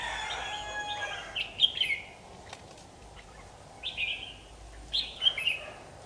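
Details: Fighting song of a red-whiskered bulbul, recorded on an AX40 4K camera: three or four clear, descending warbled phrases spaced roughly a second or more apart, over faint steady background noise.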